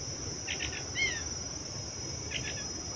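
Short bursts of high, sharp chirps, then a thin downslurred whistle, with a second chirp burst two seconds later, over a steady high insect drone.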